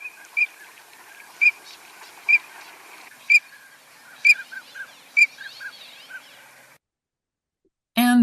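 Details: Green-winged (Eurasian) teal giving its peeping call, clear high single peeps spaced about a second apart, not a chorus.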